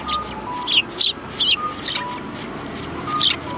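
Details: Several sparrows at a Tenmangu shrine on 3 January 2020 give quick, high, bright chirps in rapid irregular series of short notes, some doubled, with faint steady tones in the background.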